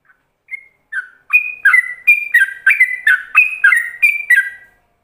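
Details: Master ropelan song of a yellow-vented bulbul, intended for other bulbuls to learn. Hesitant single notes build into a steady chain of fluty, slurred whistles, each swinging from a higher tone to a lower one, about three per second.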